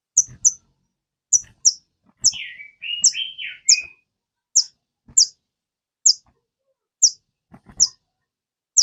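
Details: Crested jay (sogon) song played to encourage a kept bird to sing. Sharp high chips come in pairs about every second, with a brief run of lower, buzzy, wavering whistles in the middle.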